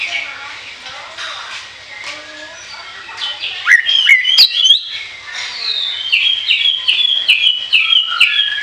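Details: Singing orange-headed thrush, for use as a lure: quieter scratchy twitters at first, then a loud burst of sharp notes and a long stream of fluent whistled warbling phrases, with faint ticking behind.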